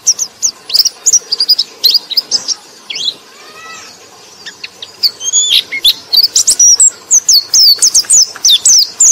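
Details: White-eye chattering song played to coax reluctant white-eyes into singing. Bursts of sharp, high twittering notes come in quick irregular runs, with a pause midway. Fainter, lower sliding whistles fill the gap before the rapid chirping resumes.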